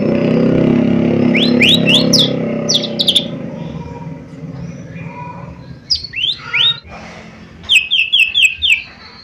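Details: Lesser green leafbird singing loudly, used as a lure to provoke a response: clusters of crisp rising and falling whistled notes in fast groups, separated by quieter gaps, over a steady low hum.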